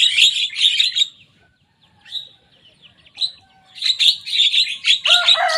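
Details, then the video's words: Young Javan myna (jalak kebo) singing loudly in two bursts of harsh, chattering notes with a quiet gap between, mimicking the songs of rival birds. "Jalak kebo muda gacor bongkar suara lawan."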